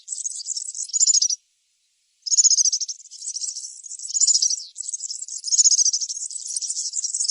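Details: Wild European serin singing in nature: very high, rapid, jingling and buzzy twittering in long continuous bursts, with one clear pause of about a second, no other sounds.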